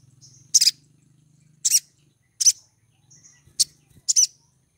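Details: A female Pied triller in breeding condition gives a luring call to attract a male: five sharp, high, buzzy chirps about a second apart, some preceded by a thin whistle, over a faint low hum.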